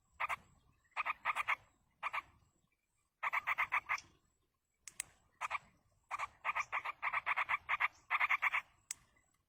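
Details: Parent yellow-vented bulbul feeding chicks in the wild; the young beg with bursts of grating repeated notes, short groups at first, then longer, denser series with quiet gaps between.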